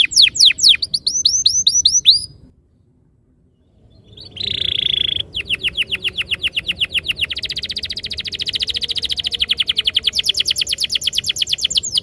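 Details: Canary song used as a lure to make canaries start singing and rolling: rapid repeated descending whistled sweeps, a pause, a buzzy note, then a long fast trill of steady repeated notes for about seven seconds.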